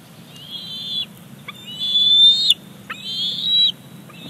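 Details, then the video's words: Bald eaglet squeeing for a fish delivered by its mother at a Big Bear Lake nest, 28 July 2019; three drawn-out high whistled squeals, each ending abruptly, with sharp clicks between and a steady low hum. "Simba in for Mom's fish delivery."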